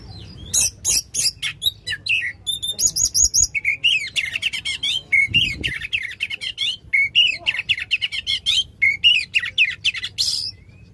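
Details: Powerful oriental magpie-robin song with long rapid volleys: dense sharp chips and buzzy trills giving way to quick wavering whistles, nearly nonstop, suited to stirring a magpie-robin that has stopped singing.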